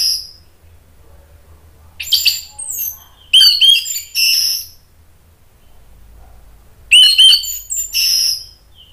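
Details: Orange-headed thrush in an agitated singing style, used to provoke other birds into singing and as therapy for birds that have stopped singing: short bright clusters of high whistles and chatter separated by quiet pauses.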